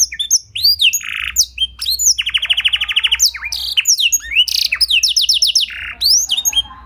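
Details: Canary trained with blackthroat song material, singing continuously: swooping whistles, several rapid buzzy trills and quick repeated notes, loud and clear throughout.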